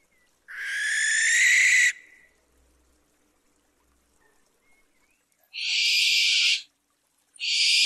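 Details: Nighttime barn owl (Lokkhi pecha) screeching: one long raspy shriek, a pause of several seconds, then two more shorter, higher, hissier screeches, the last cut off.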